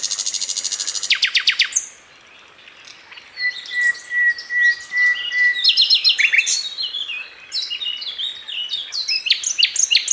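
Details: Masteran training recording of a sikatan londo flycatcher singing tembakan-style: a rapid rattling trill, a pause, a long thin steady whistle, then jumbled high chirps and sharp repeated notes.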